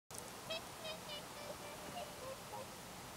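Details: A Whooper Swan, grazing with bean geese, jerks its head up and down before taking off, giving loud, short, nasal, horn-like notes, about seven in three seconds at slightly varying pitch, over a steady rush of wind.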